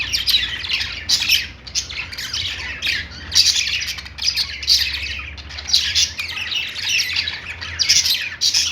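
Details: Pet store budgerigars, perhaps alongside lovebirds, keep up continuous chattering song. Shrill chirps, squawks and buzzy warbles come in repeated swells about every second, with many birds calling at once.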